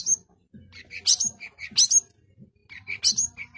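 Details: Long-tailed shrike (cendet) giving short bursts of high whistled slurs and harsh buzzy notes, broken by brief pauses; soft low knocks in the background.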